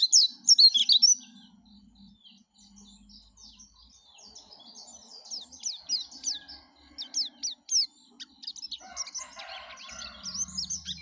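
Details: Yellow-breasted white-eye song, kept for its lively singing: bursts of high, scratchy twittering notes in quick irregular runs, with a faint low hum underneath and some softer chatter near the end.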